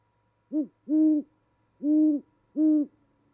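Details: Two great horned owls hoot to each other at a nest during mating season, in winter at Charlo, Montana, from a nest camera. Four deep hoots are heard: a short one, then three longer, evenly spaced ones.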